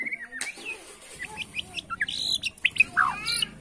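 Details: Bornean white-rumped shama in 'sujud' bowing style, singing to anger rivals: quick chirps and short whistled notes over a low buzzing hum, ending in a cluster of sharp descending phrases.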